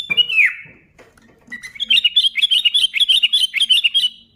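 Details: Sooty-headed bulbul in lively full song, used to provoke other bulbuls into singing: a brief falling whistle, a pause, then a fast run of chirpy, looping notes repeated steadily for over two seconds.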